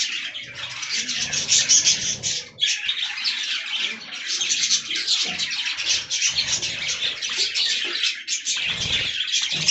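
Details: Budgerigars chattering together while feeding on fresh green leaves: a dense, continuous mass of high twittering and warbling, with scratchy chirps overlapping throughout and a brief dip in the middle.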